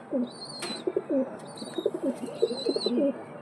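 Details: Pigeons cooing: low, wavering, bubbling coos repeated in quick runs, with a thin high whistle-like tone sounding on and off above them.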